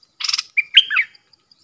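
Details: Decoy bulbul singing and chattering at wild birds: a harsh, buzzy rattling burst, then a short whistled phrase with slurred, rising-and-falling notes.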